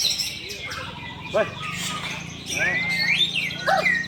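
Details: White-rumped shama in a songbird face-off between two caged birds: clear rising and falling whistled phrases with sharp upward sweeps, over a dense chatter of other birdsong and a man's voice calling out in the background.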